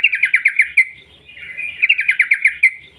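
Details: Sooty-headed bulbul long 'ropel' song, a lure to make bulbuls sing: two rapid series of bright repeated notes, about six to eight per burst, with a brief softer pause between.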